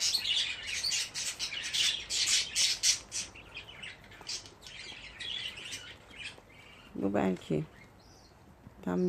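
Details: Budgerigar chicks, fifteen together in one place, give a busy burst of rapid high chirps and raspy squawks for a few seconds, then quieter calls follow, with a short spell of low human voice near the end.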